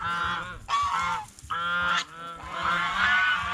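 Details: At a fish pond where it eats bread and fresh greens, a goose blares loud nasal honks, four strong calls in quick succession with short gaps, over faint low noise.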